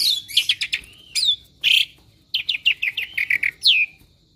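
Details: Pet Asian pied starling that imitates other birds delivers chattering clicks, harsh buzzy notes and a quick series of downslurred chirps, ending with a falling whistle.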